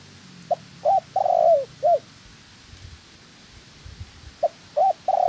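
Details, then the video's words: Spotted dove trained as a trap decoy, with a second caught female. A mellow coo phrase ending in a long falling roll, then after a gap a new phrase begins with short notes and a long coo. A faint low hum sits underneath. "Chim Cu Gáy (trap bird) Tập mồi. Bổi mái thứ hai của mồi tập."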